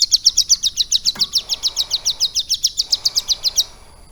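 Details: A captive ciblek gunung prinia, trained about three months to copy lovebird song, delivers a quick, even run of bright, high notes, about five per second, stopping abruptly after three and a half seconds.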